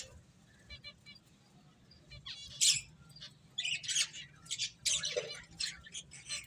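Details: Finches chirping while eating; quiet at first, then bursts of sharp high chirps and squeaky notes from the middle onward, some short trilled runs, with a low background hum.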